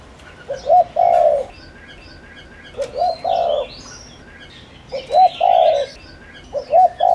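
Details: Decoy spotted dove calling to lure wild doves, giving four low cooing phrases that each end in a long rolling croo, while small birds chirp and whistle higher in the background.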